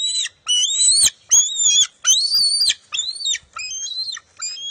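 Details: Eaglet and mother bald eagle competing for a fish at the NCTC nest on June 23, 2021: a loud series of piercing, rising-then-falling whistled screams, each under a second, closing with shorter chittering notes.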